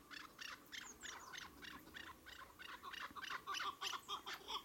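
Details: Chukar partridges giving a chattering sequence of harsh, buzzy notes, some paired, repeated in a loose rhythm of roughly two per second and growing louder toward the end.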